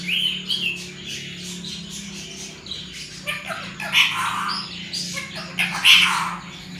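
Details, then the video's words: Pet talking parrot that imitates human speech in Sindhi and Urdu, such as "mithu put" and "miyan mithu", giving scratchy, speech-like bursts and sharp squawks at an uneven pace over a steady low hum. "funny talking parrot, sindhi bi bolta ha urdu bi"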